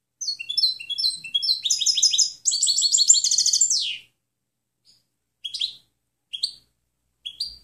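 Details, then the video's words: European goldfinch clean song ('canto limpio') recorded for training other birds: high twittering series of rising notes, then a dense rapid trill of buzzy, tinkling notes, ending with a few separate chirps after a pause. "Canto del Jilguero Limpio Chant chardonneret"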